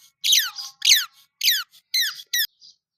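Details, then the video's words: Colour-dyed baby chicks chirping loudly up close. Shrill descending peeps repeat about twice a second, each sliding sharply downward. "chicks chirping"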